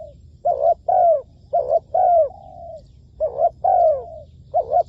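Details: Spotted dove serving as a decoy for trappers, delivering mellow repeated coos. Each phrase is a short note and then a drawn-out falling coo, one phrase trailing into an extra level tone, against a quiet low hum.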